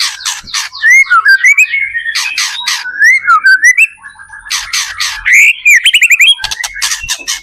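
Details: White-rumped shama song, used to provoke other shamas into singing: wavering mid-pitched whistles weave between loud harsh rasping bursts, with bright rising whistled runs and fast trilled chips near the end.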